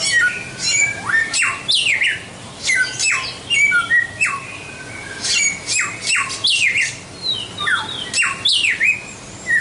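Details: White-rumped shama song as a tutor recording for training songbirds: strong whistled notes with abrupt downward sweeps, repeated in lively bursts separated by short pauses, steady faint hiss beneath.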